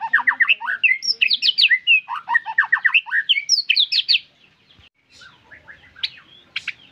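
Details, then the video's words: White-rumped shama singing at full length: fast rich phrases of varied whistles and chattering notes from about four seconds, swooping and trilled, then quiet with a few faint scattered notes. "MURAI BATU GACORRR FULL DURASI"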